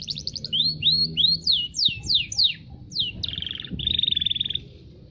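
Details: Local canary singing a series of loud, sweeping downslurred whistles, each repeated, followed by a long dense buzzy trill held at steady pitch, with faint low background sounds.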